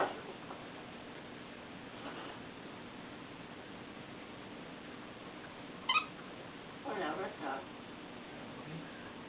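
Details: A 5-year-old yellow-naped amazon, believed female, gives a sharp, harsh cough-like burst, then a short, breathy double laugh, in a quiet room.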